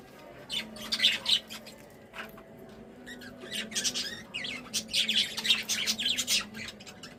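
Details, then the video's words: Budgerigars chirping happily, a busy stream of quick high chatter and warbles with squawky notes in bursts, pausing briefly then resuming, over a low steady hum. "Happy Birds Sounds"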